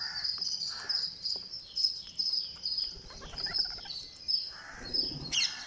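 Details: Green parakeet on day 49, calling while being fed: a steady stream of thin, high chirps repeated several times a second, with a few softer lower bursts and a rustle near the end.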